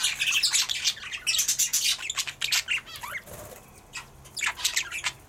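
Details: A breeding pair of turquoise parrots; the male feeds the female when she briefly leaves her eggs, giving a rapid, uneven stream of high, thin twittering chirps, about four a second, with brief pauses and no other sounds.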